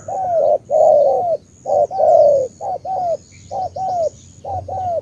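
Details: Spotted dove of the Cà Mau type, cooing in short paired phrases: a brief low note followed by a longer, slightly falling coo, repeated about every second. Faint high thin chirps sound in the background.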